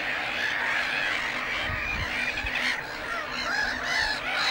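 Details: Black-headed gulls calling in their Lake Hornborga breeding colony, a thick layer of scratchy, honking cries from many birds overlapping without pause, a few low thumps beneath.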